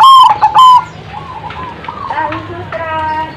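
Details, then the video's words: Zebra dove giving a quick run of loud, clipped cooing notes at the start, followed by softer, broken trilled notes over a low background hum. "suara bikin nyaut bunyi burung perkutut"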